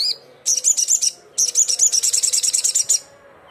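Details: Loud, busy Sogon call aimed at rivals, a fast run of very high, metallic chirps in two long bursts, each packed with rapid repeated notes, separated by a short pause.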